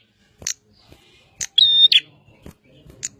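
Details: Bar-winged prinia singing vigorously: a few sharp high chips and one loud phrase, a flat sustained whistle opened and closed by buzzy notes.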